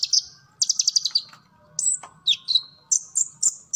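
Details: Olive-backed sunbird, recording meant to train captive birds: a high whistled note, a fast descending chatter, then pauses and bright chirps and whistles; soft low humming noise throughout.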